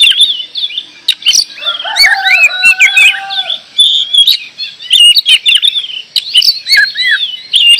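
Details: Kacer, the oriental magpie-robin, in loud, lively song: fast tumbling whistles and twittering notes, a few lower drawn-out whistles midway, and brief clicks between phrases.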